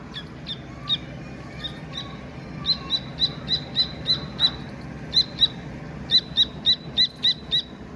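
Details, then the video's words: Dakni teetar partridge chick chirping, starting with scattered soft, lower peeps, then building into steady runs of loud, high, clipped chirps in quick succession; light background rumble. "Chirping Sound of Dakni Teter Baby"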